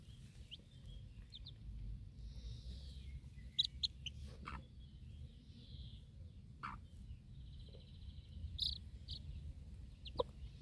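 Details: Backyard mother hen with her four baby chicks outdoors at feeding time, staying alert after a dog's bark startled the flock; thin high peeps come in short bursts and drawn-out trills, with a few lower chirps over steady low rumble.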